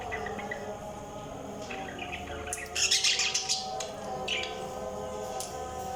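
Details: Budgerigars chirping, with a dense burst of bright, scratchy chirps and twitters in the middle and scattered sharp notes before and after, over a steady low hum.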